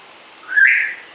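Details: Single whistle from a rescued African grey parrot left alone indoors: one smooth, clear tone about a second long, rising slightly and then steadying, with faint background hiss.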